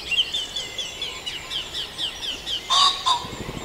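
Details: Dawn chorus at Farndale: a string of quick high chirps repeated at an uneven pace, then a louder, harsher call near the end, with fainter birds and hiss behind.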